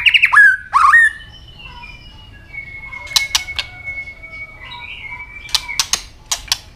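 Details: A white-rumped shama's fighting song, tail-flick clicks included: two loud descending slurred whistles open, then a long faint steady tone and scattered sharp clicks near the end.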